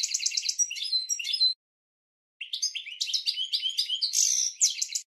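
A European goldfinch sings a fast, tinkling twitter of high liquid notes and buzzy trills in two bursts broken by a short pause. No other sounds are heard.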